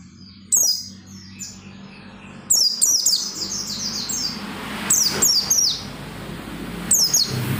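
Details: Oriental white-eye singing to stimulate other white-eyes: high descending twittering phrases in separated bursts against a steady broadband background hiss.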